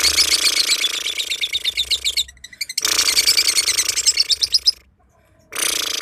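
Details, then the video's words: Lovebird kept in the kicau mania style, prepared for hanging in competition; dense rapid trilled chattering with buzzy pulsed notes, broken by brief pauses, a steady low hum underneath. "Love bird kicau mania siap gantang"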